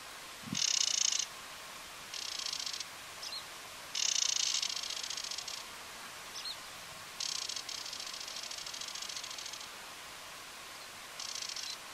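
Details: Spectacled warbler (Sylvia conspicillata orbitalis) on Fuerteventura, Canary Islands, Spain, giving dry, scratchy, buzzing bursts of about one second, repeated every two to three seconds over quiet background hiss.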